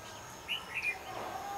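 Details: Red-whiskered bulbul singing a fighting song at a decoy during trapping, January 2016. Two short, bright whistled chirps follow each other quickly, over a background hiss.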